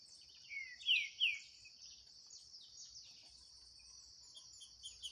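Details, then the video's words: Green-winged saltator in a singing contest against a wild bird in the bush: a few rich whistled notes sliding downward, two loud ones near the start, then fainter phrases, over a steady high insect drone. "DISPUTA DO SÉCULO 2023 🔥TRINCA FERRO"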